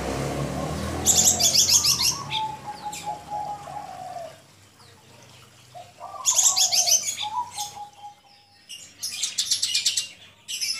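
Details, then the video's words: Male Javan bush lark (Horsfield's bush lark) singing in two bursts of high, rattling trills, each led by lower, slurred whistled notes, with a quiet gap between bursts. "Branjangan gacor dor"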